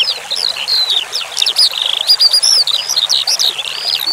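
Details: Eurasian skylark (branjangan) training song with flowing water sound: busy, high, shimmering twitter of overlapping chirps and slurred whistles, some very high thin notes, continuing almost without a break.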